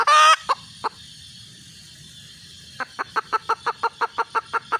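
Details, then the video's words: Red junglefowl hen calling: a loud, harsh opening note and two short clucks, a pause of about two seconds, then a quick even run of about twelve clipped, throaty clucks, roughly five per second, over a quiet background. "suab poj qaib tsauj zoo heev"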